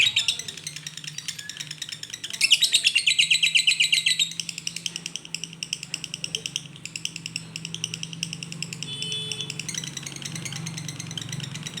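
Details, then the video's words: Lovebird in koslet song. A loud burst of quick, shrill chirps leads into softer, scratchier chatter, with a low droning hum throughout. "LB koslet/love bird"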